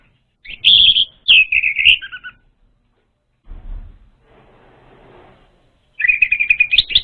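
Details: Lure song of an orange-headed thrush for young untrained birds. Loud, bright whistled phrases jump and slur downward, followed by a pause with a low thud and soft hiss. A fast, rattling, slightly rising whistled series closes it.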